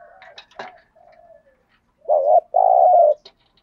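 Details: ['Spotted dove used as a lure for wild doves: a few sharp clicks and a faint drawn-out coo, then a short wavering coo followed by a longer steady low coo.']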